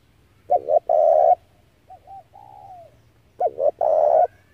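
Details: Spotted dove lure call for trapping doves: a loud double-note-plus-long-coo phrase, then soft distant coos with a gently falling tone, then another loud phrase.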